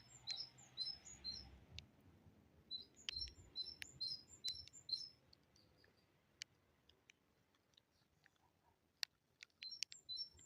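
A great tit sings quick, high, thin repeated two-note phrases for about five seconds, followed by scattered sharp clicks and brief chirps over a faint low rumble.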